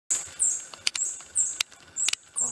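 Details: Long-tailed hermit (Phaethornis superciliosus muelleri) in dark forest understory at its display arena, Pará, Brazil, June 2014: high thin squeaky notes, each about a fifth of a second, separated by sharp clicks and pauses.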